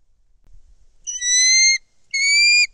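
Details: Bald eagle at a nest in Kisatchie National Forest on 10 December 2023, as a foreign female flies in with a fish and another eagle is airborne: two high, thin, slightly rising whistled notes under a second each, with a short pause between.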